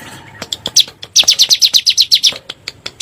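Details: Bar-winged prinia giving the 'nembak' burst, played as a lure to prompt caged birds to sing: a few scattered high chips, then a quick string of about ten sharp, ringing notes that stops abruptly.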